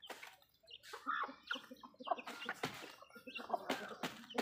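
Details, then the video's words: Backyard hens clucking while feeding, several birds at once; short harmonic clucks and murmurs repeated irregularly, mixed with sharp clicks and pecking sounds through the clip. "Backyard Chickens Feed food fun Relaxing video Sounds Noises hens Clucking"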